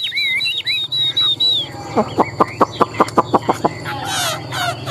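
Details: Captive Chinese hwamei bred for competition singing. It opens with a few looping whistles, then gives a rapid series of short, sharp, evenly spaced notes, about five per second, before a brief scratchy burst.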